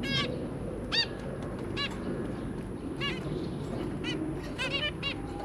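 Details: Zebra finch family of two adults and three babies, recorded 23 January 2022: short nasal harmonic calls spaced about a second apart, some doubled, over a steady low rumble.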